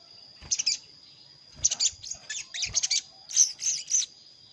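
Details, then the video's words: Wild-bird lure sound of a sogon summoning a rival; rapid, scratchy high chirps crowding into quick runs, ending with three rounder twittering notes, steady high whine underneath. "Suara pikat sogon paling ampuh_ sogon manggil lawan untuk pikat"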